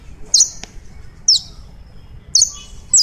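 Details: Colombian saffron finch singing: four sharp, high chirps, each a quick downward-sliding note, spaced irregularly about half a second to a second apart over faint low background hum.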